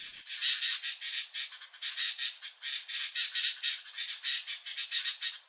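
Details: Sooty-headed Bulbuls at Doi Lang, Chiang Mai, Thailand, on a cold day, aggressively chasing off sibias with a harsh, scratchy, nonstop chatter in rapid uneven bursts.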